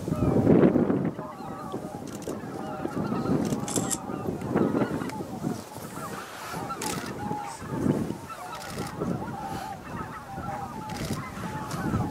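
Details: Greater white-fronted geese, about 15,000, arriving at the evening roost at Miyajimanuma marsh, Bibai, on 11 April 2016 between 18:00 and 18:30. A dense, overlapping chorus of nasal honks rises and falls over a steady low rumble.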